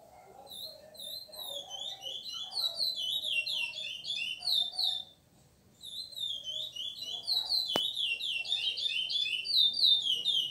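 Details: A chestnut-bellied seed finch (curió) sings an Ana Dias-type song, a long, rich flow of clear, rapid whistled notes, pausing briefly midway, with a faint murmur and a sharp click behind.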